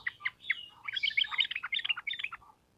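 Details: Lively sooty-headed bulbul song, used to train birds: quick chirps swell into a continuous tumbling chatter of bright notes lasting about two seconds.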